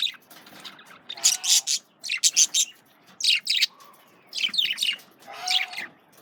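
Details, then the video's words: Several male parakeets feeding on carrots keep up a steady run of high, scratchy chirps in tight groups of two or three, roughly one group per second. "Male Budgies/Parakeets Eating Carrots (Волнистых попугаев)"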